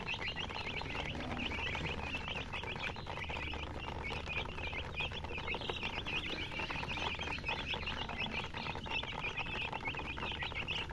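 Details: Young chickens in a group, their shrill overlapping cheeps forming a steady high twitter, mixed with rustling, clicking litter sounds and a low background drone.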